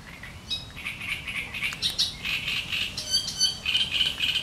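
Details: Great reed warbler singing in reeds: a sharp, grating chatter of harsh notes, repeated in quick, uneven bursts with a few higher squeaky accents, over a faint low background rumble.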